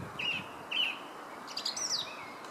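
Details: Song thrush in Herttoniemi giving two matching whistled notes, then a higher, quicker twisting phrase, with steady ambient noise behind.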